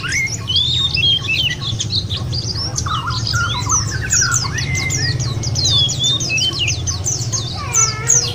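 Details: Lure recording of white-eyes to get birds singing: rapid high twittering chorus with short lower whistled notes and a rising buzzy trill near the end, over a low rumbling background.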